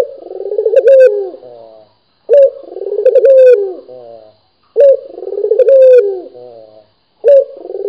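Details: Deep, trilled cooing of a local dove, called puter gacor for its lively voice. Each phrase starts with a sharp note, swells into a vibrating roll and fades, with short silences between repeats.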